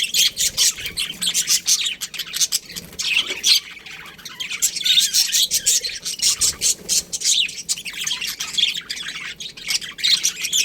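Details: A budgerigar colony chirps nonstop, dozens of quick high squeaks and scratchy notes overlapping into a dense, lively chorus.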